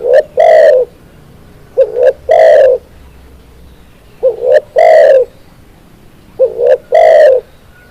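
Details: Spotted dove song used as a tutor recording for cage birds. Deep, mellow phrases come roughly every two seconds: a quick wavering double coo, then a loud, drawn-out purring note. The recording is otherwise quiet.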